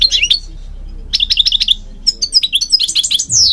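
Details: European goldfinch song for training birds, Morocco mentioned: clipped chirps, then a liquid twittering run of repeated notes ending in a long descending whistle.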